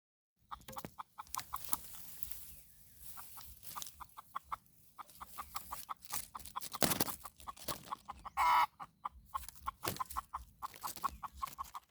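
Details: Red junglefowl in the morning, during decoy luring of wild birds: a fast run of short, sharp clucks, irregularly spaced and repeated many times, with a few louder broadband bursts mixed in.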